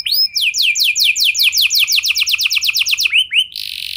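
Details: Canary lure song used to set other canaries singing: a rapid run of bright, downward-slurred whistles repeated several times a second, ending with a few upswept notes and a brief buzzy rattle.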